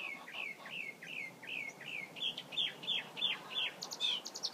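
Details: Mockingbird repeats a falling whistled phrase about seven times, then switches to sharper, higher repeated notes, finishing with a bright high trill-like figure.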